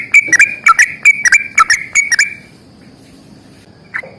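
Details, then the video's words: Sooty-headed bulbul fighting song, 'ropel panjang' type: a quick series of rich, bubbly whistled notes for two seconds, then silence and one last faint note at the end. "trucukan gacor tarung ROPEL PANJANG"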